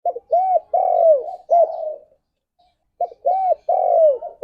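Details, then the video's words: Spotted dove kept as a pet, cooing steadily: soft rounded hoots leading into a long falling coo, the phrase given twice with a short silence between. "Burung Tekukur Gacor Suara - Merdu Untuk Pikat Dan Pancingan"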